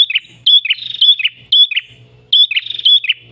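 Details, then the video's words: Ashy tailorbird (prenjak kepala merah) song: sharp, high whistled notes, each followed by a lower chirping note, repeated in quick bursts about twice a second. "PRENJAK KEPALA MERAH GACOR SUARA NGALUN"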